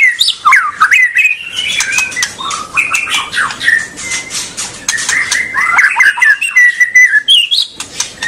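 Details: White-rumped shama singing a rich, fast medley used to prompt juvenile and untrained birds into full song: mid-pitched whistled slurs, rasping squawks and dense clicking notes tumbling together with brief pauses.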